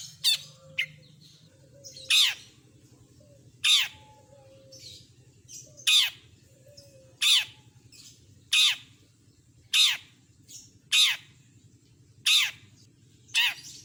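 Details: Long-tailed shrike, a singer known here for mimicking other birds, giving loud, harsh, rasping squawks repeated about once a second, with faint thin notes between them and a constant low background hum.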